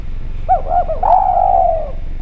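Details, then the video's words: Spotted dove in lively, clear voice, recorded as a lure call: two short wavering coos followed by a long, slightly falling drawn-out coo, with a steady low hum underneath. "Derkuku Djawa Gacor Suara Bening, Spesial Suara Pancingan"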